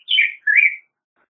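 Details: Black-headed grosbeak (Pheucticus melanocephalus) giving two short warbled, slurred phrases, the first dropping in pitch and the second rising then falling, with silence afterwards.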